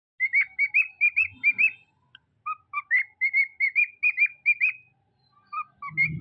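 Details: A pet cockatiel whistles a quick run of bright, rising notes, repeated in short phrases.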